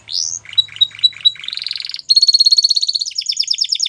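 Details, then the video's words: White Belgian canary: an upward slur, then spaced whistled notes over a low hum, moving into a buzzy trill and then very fast, loud, even rolls of high rattling notes. "White Canary Singing | Belgian Canary"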